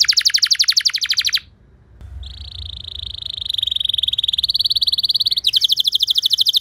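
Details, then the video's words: Canary song played to teach other canaries: a fast pulsing trill, a brief pause, then a smooth sustained high trill lasting about three seconds, ending in another rapid pulsed roll. "Putar 10 Detik Saja Kenari Lain Bisa Ngeplong Anti Ngeriwik Gacor Nembak Panjang"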